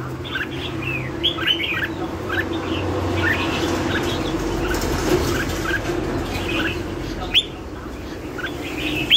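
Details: Red-whiskered bulbul singing in the style called lân hầu bò: short bright whistled notes, many sweeping up or down, scattered through the clip over a steady low hum and rumbling background noise.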